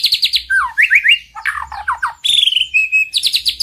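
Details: Master recording of White-rumped shama song meant to rouse a quiet bird into singing. Rapid loud phrases of clear whistles, quick rising trills, downward slurs and a long level whistle, closing with fast repeated chirps.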